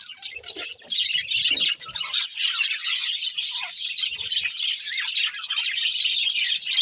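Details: Pet budgerigars in a pair, giving a steady wash of high chirps, trills and scratchy warbles after a short quieter opening with a few low knocks.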